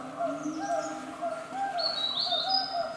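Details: Snowy-browed flycatcher (Ficedula hyperythra) perched in front of a bird hide in shady forest on Mount Kerinci, Sumatra, giving a few thin, high, slurred whistles in the second half, over a steady low humming drone.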